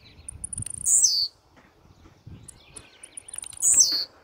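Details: Blue-black grassquit singing aggressively: a pair of intense, high, downward-sliding buzzy notes near three seconds apart, separated by quiet ticking.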